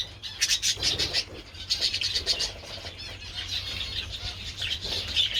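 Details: A group of budgerigars enjoying treats in sunshine on 27 February, with dense high twittering and clicking, louder bursts early, softer continuous warbling later.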